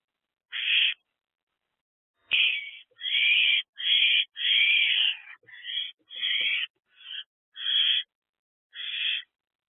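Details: Owlet in a nest box at night, around 3 am on 24 April 2024, while eating a large rodent: harsh, hissing screech bursts, each under a second, coming irregularly with short gaps, fairly loud and steady in tone.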